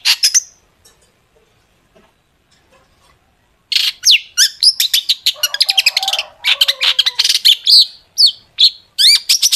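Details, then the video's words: Long-tailed shrike lure song for making shrikes sing: a brief note, a long quiet gap, then a loud, fast, varied stream of harsh chips, buzzes and short sliding whistles, about two elements per second. "cendet gacor FULL ISIAN TEMBAKAN TAJAM untuk PANCINGAN CENDET AGAR BUNYI jadikan BURUNG PENTET GACOR"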